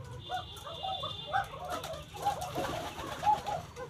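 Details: Deshi Koka domestic pigeons at Ilamdahi, Tanore, Rajshahi, Bangladesh, praised for a good, very beautiful call; short overlapping coo notes scattered irregularly over a low hum, with a faint steady tone early on.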